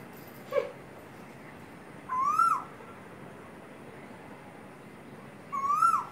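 A male Asian koel gives two clear, rising whistled calls, a few seconds apart.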